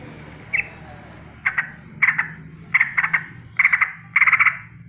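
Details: Sooty-headed bulbul rolling alarm in the morning, warning of danger: short bursts of quick chattering notes growing longer and denser toward the end, over steady low background noise.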